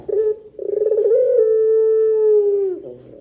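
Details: Barbary dove giving a long-drawn 'pelung panjang' coo used as a lure to set other doves calling: a brief note, then a vibrating rolled onset that smooths into a steady low tone held about two seconds before dropping away.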